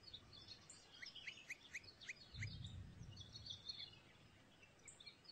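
A campo flicker gives a quick run of sharp, downslurred notes, about four a second, over faint scattered chirps and a low wind rumble.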